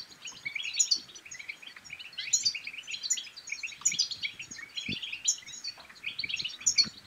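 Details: European goldfinch bitbita-style song for encouraging mating and singing: quick tinkling twitter in bursts roughly every one and a half seconds, each topped by a sharp high note, one short low thump.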